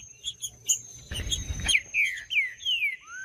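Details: Green-winged saltator singing to stimulate other saltators: after scattered chips and a low thump, four loud clear whistles each slide downward, ending in a short rising note, over a faint steady high tone.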